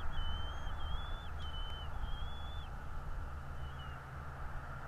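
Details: Thin, high, slightly wavering whistles of a bald eagle at its North East Florida nest, 11.02.2022 around 09:55, come in a quick run of four or five notes, then fade, with heavy low background rumble throughout.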